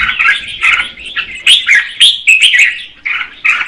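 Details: Red-whiskered bulbul female singing to provoke the male, giving a few rich slurred whistles and chirps in quick bursts, some with sharp high flicks.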